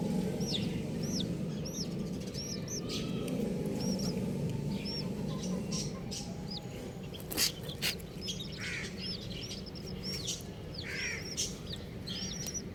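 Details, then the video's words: Colourful baby chickens, several chicks together, give high, thin arched peeps in steady runs about twice a second, with scattered sharp clicks and knocks and low background rumble. "Colourful Baby Chickens | Cutie Chicks Chirping Sounds"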